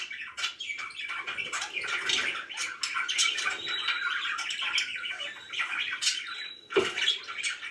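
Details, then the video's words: Happy pet budgies twitter softly in a busy, rambling chatter of short chirps and buzzy trills, with one brief whistled tone and a low knock near the end. "VERY HAPPY BIRDS"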